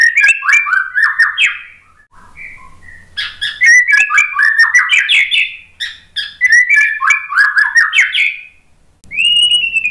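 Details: Song of a white-rumped shama, offered as a lure for a shama that stays silent and stressed after its moult: three bursts of rapid warbled whistles with short soft pauses, ending on a clear sustained whistle.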